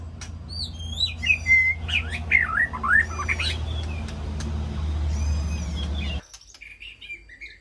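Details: White-rumped shama calling to its flock inside an aviary: looping, sweeping whistles and rising slurs in the first half, fading out, with a steady low rumble like traffic until it cuts off.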